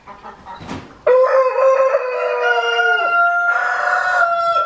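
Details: A Reeves's pheasant gives courtship-dance calls. A few soft notes and a brief rustle come first, then a loud, sustained, tonal cry with rich harmonics. It steps up slightly in pitch partway through and holds to the end.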